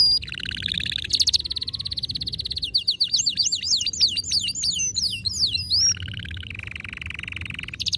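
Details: Highly stimulated male canary: a buzzy trill, zigzag runs of rapid sliding whistles, then a lower, level rattling roll, with low-pitched background noise throughout.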